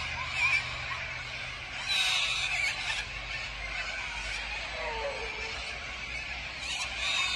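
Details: Corellas en masse at Tocumwal on the Murray, a relentless screeching chorus with several individual shrieks standing out early and midway over the harsh background of the flock.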